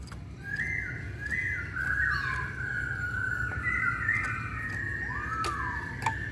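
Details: A masked laughingthrush gives a lure song meant to provoke other birds to sing: flowing whistled notes, long level tones broken by short downward slurs and a rising-falling arc near the end, over steady low noise.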